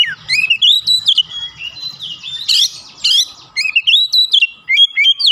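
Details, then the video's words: Agitated Oriental magpie-robin provoked into singing: a rich, varied stream of loud whistles, sweeping slurred notes and sharp chips, almost unbroken, with a low murmur in the background. "PANCINGAN cepat Kacer emosi bongkar isian"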